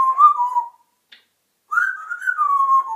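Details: African grey parrot whistling in a quiet room: a mid-pitched wavering whistle fades out. After a tiny click and a pause, a longer whistle rises slightly, warbles, and then drifts downward.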